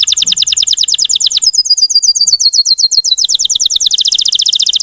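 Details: Lure song of a Russian canary meant to stir up other canaries: rapid pulsed trills, a sweeping slightly falling run of clipped notes, then a dense high rattle resuming.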